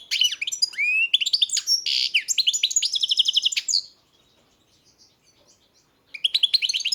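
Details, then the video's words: European goldfinch singing nearby: a long, fast, tinkling twitter mixed with nasal buzzes and quick repeated trills for about four seconds, a two-second pause, then the twittering starts again. "Pesma štiglića, češljugara"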